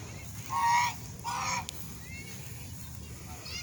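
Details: Loud swan calling in two drawn-out, nasal trumpeting honks in quick succession, with faint softer notes afterward over a steady background hiss.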